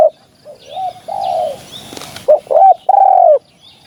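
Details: Spotted dove call for use in hunting: softer coos at first, a crackle of noise, then louder slurred notes and a long falling coo.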